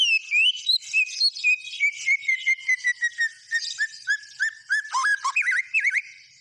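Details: White-rumped shama singing energetically: a long run of rapid, evenly repeated clear whistled notes slowly falling in pitch, then quick looping slurred whistles and harsh chattering.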